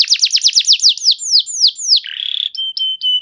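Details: Canary singing to coax silent canaries into song, fast high descending sweeps slowing into longer slurred notes, a short buzzy trill, then even level whistles.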